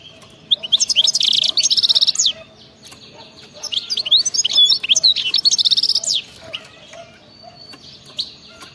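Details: European goldfinch delivering wild-type 'betbeta' song for prompting other goldfinches: rapid high tinkling notes run into buzzy trills in two main phrases, then a few scattered chirps.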